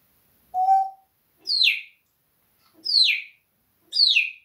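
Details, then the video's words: A parrot, said to be swearing at a cat, gives a steady flat whistled note, then three piercing calls that drop quickly in pitch, evenly spaced with quiet gaps. "Попугай матерится на кота"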